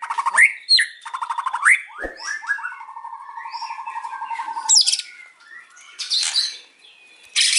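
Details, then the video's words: White-rumped shama sings in the afternoon, giving rising whistles, a long trill of even repeated notes, then buzzy harsh bursts. "KICAUAN MURAI BATU SORE HARI"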